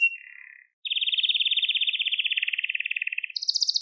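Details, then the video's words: Canary song meant for training young canaries and stirring them to sing: a short buzzy note, then a long, steady, rapidly pulsed trill that slowly drops in pitch, ending in a higher, faster rattling trill. No other sounds. "Orjinal Kanarya Sesi 2021 Kanarya Kızıştırma Kanarya Ötüşü"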